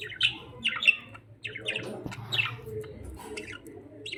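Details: Several budgerigars (Melopsittacus undulatus) in a pet store sing with quick, scratchy chirps and warbled twitters over a low indoor murmur.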